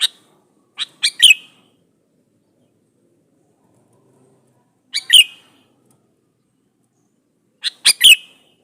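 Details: Lure recording of a male sooty-headed bulbul calling to a female; three widely spaced phrases of two or three abrupt notes, each finishing in a short ringing whistle, roughly every three to four seconds.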